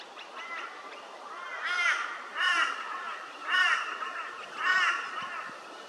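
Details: Scaly-breasted lorikeet at Hervey Bay, Queensland, giving four harsh, rasping screeches about a second apart, each a shrill arched burst, over a steady background hiss.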